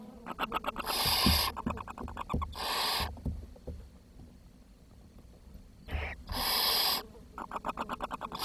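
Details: Barn owl nestlings at a nest where food is short and the youngest chick has died; long, harsh, breathy hisses about a second each, four of them, with fast dry ticking and clicking between.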